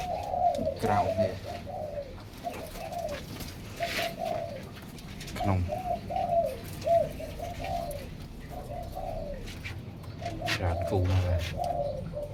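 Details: Captive zebra doves, many breeding pairs kept together in a room, cooing: soft, mid-pitched rolling coos repeat in overlapping bursts throughout, several birds calling at once, with low thumps and faint room noise beneath.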